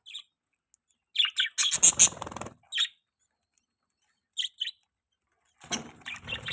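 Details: Pet budgerigar during mating, giving bursts of sharp, high chirps and short scratchy warbles, with quiet gaps of a second or more between bursts.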